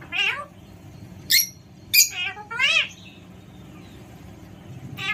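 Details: Loud squawking from an Alexandrine parakeet: an opening harsh call, then sharp clicking notes and a longer grating squawk with falling pitch, a short high click at the end, quiet room hum underneath.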